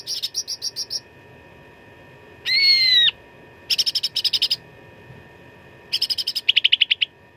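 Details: Grey-bellied bulbul (cucak ranting) giving a fighting song ('suara tarung') with rich fill, used as a training recording for contest birds: bursts of rapid, high buzzy-chattering notes, one rising-falling whistled sweep, then a quick repeated trill, with a steady faint background hum.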